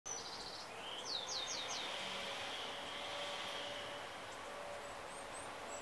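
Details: Bushtit in San Diego, California, on 16 January 2017: a thin high buzzy call note, then a quick run of four sharp downslurred chips, with faint high tsits later, over a steady distant traffic-like rumble.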